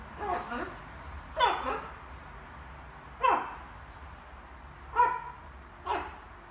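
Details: Small macaw at home practising words in the evening: five separate sharp, slightly falling squawk-like syllables, roughly one every one and a half to two seconds, against a low hum.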